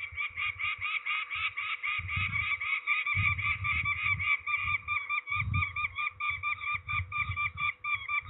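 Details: Ringing of peregrine falcons at Trzebież, Poland, on 13 May 2019: an insistent run of rasping, chattering calls in quick pulses, with intermittent low thuds from handling.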